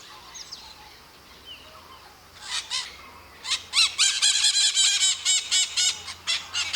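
Maritaca parrots screech in harsh, grating bursts, several birds overlapping at about two calls a second after a quieter start.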